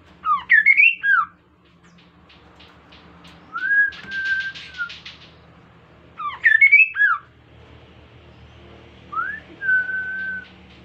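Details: Kaso-kaso bird, an insect-eating species, singing actively as a lure for other birds. Twisting slurred whistle phrases alternate with long level whistles and buzzy rattled bursts, and the twisting phrase repeats about every six seconds.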